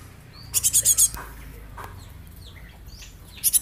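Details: A young Java sparrow, a rare bird used as a lure, gives a fast run of about five bright, high chips. A second short burst comes near the end, with faint twittering in between.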